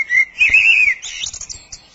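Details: Common Blackbird (Turdus merula) singing in late spring, a rich fluty warble about a second long ending in a higher, squeaky twittering flourish; it sings from January onward from treetops, roofs or posts, and its song can last long.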